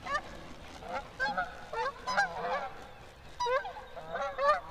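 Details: Canada geese recorded by the National Park Service: loud bursts of nasal two-part honks from several birds, clustered in groups about every second with brief quieter gaps, over a low rumbling background.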